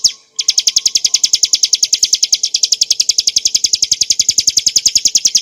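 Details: Bar-winged prinia, subspecies montana, singing a clear ngebren-style song for tutoring and provoking cage birds: rapid high chattering notes, about seven per second, running on steadily after a brief opening pause.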